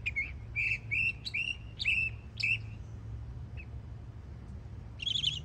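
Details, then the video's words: Young Northern mockingbird singing in Florida: a row of six similar slurred whistled notes at an even pace, a brief pause, then a harsh buzzy burst. "Yearling Florida Mockingbird Goes Hard 🎶💯 Beautiful Songs"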